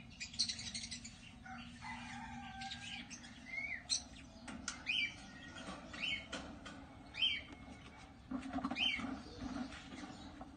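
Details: Captive African lovebirds (Agapornis) at a breeding setup: bursts of shrill, squeaky chirps with short downward-bending notes, repeated roughly every second, over a constant low background hum.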